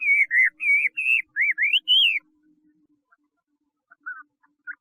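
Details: Chinese hwamei giving a short series of rich, wavering whistled phrases, each slurring up and down, then falling quiet apart from a faint steady hum and a few soft notes.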